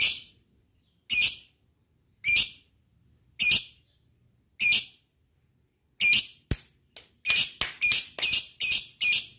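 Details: Lovebird calls used to provoke other lovebirds into singing: sharp, harsh high-pitched squawks, first spaced about one per second, then coming faster in a quick irregular burst toward the end.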